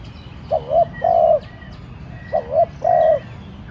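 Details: Decoy spotted dove cooing to provoke wild doves to call: two coo phrases, each a short wavering note followed by a longer steady coo, about 1.5 seconds apart, with faint bird chirps behind.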